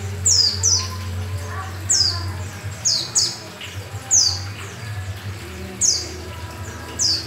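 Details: Yellow-breasted oriental white-eye, a kept songbird in full song with open beak: high, sharp downslurred whistled notes repeated in short bursts roughly every second, over a low steady hum.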